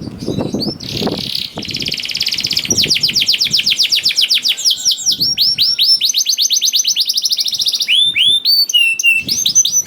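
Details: Canary song played to stimulate hesitant canaries to sing: a long, loud, continuous stream of fast trills, buzzy rolls and sweeping whistled notes shifting from phrase to phrase, with occasional low thuds.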